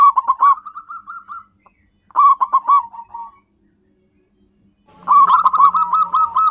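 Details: Local zebra doves recorded for luring wild birds: three phrases of staccato coos running into a purring, evenly beaten trill, separated by a second of silence, the last phrase with several voices overlapping.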